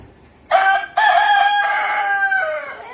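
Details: Rooster at Deokso Natural History Museum crowing: a loud, brassy, strongly harmonic cock-a-doodle-doo that opens with a brief note, breaks, then holds a long strained tone that falls slightly at the end.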